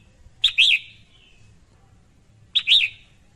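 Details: Female red-whiskered bulbul giving two sharp, bright chirped calls about two seconds apart. Each call is a quick doubled note with a slurred, wavering second part trailing off. The background is otherwise quiet, with a faint low hum.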